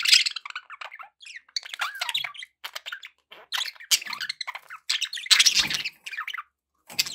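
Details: Pet budgerigars chattering nonstop: dense, scratchy warbles and high chirps tumble over one another with brief pauses, some louder harsh squawk-like bursts near the end, recorded indoors with background noise.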